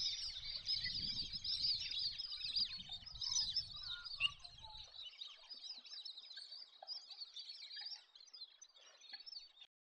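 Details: High, overlapping wheezy whistles from wandering whistling-ducks form a busy chatter that thins toward the end, with low wind noise in the first half.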